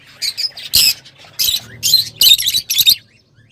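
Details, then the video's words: Lovebirds, whose voices are called beautiful yet somewhat piercing in a small house: a series of loud, harsh, shrill squawks in short bursts about every half second, with a brief low hum. "تغريدروز/صوت روز /Love Bird Sound"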